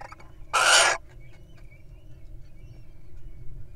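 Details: Wild little owl on its eggs, breaking off to feed on a mouse; one loud, hissing screech of about half a second, then quiet low background noise.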